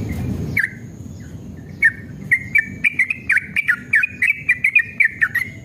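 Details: Male yellow-vented bulbul in an aggressive, fighting mood. After low rumbling noise and a single note, rapid bubbly warbles tumble out, each phrase dipping and rising, with clicks accompanying the notes.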